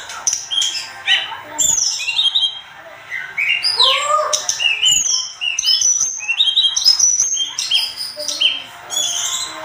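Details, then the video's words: Sunda robin in full, excited song for songbird tutoring: rapid sequences of clear, high whistled notes, looping rising and falling slurs and chirps, delivered in continuous bursts with brief pauses. "Masteran terbaik tledekan gunung gacor emosi"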